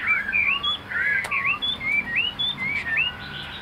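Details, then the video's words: Chinese hwamei, a tame cage bird, delivering separate clear whistled phrases, each a short rising or looping slur, about three per second, with one sharp click partway through and a soft hum behind. "Hoạt Họa Mi"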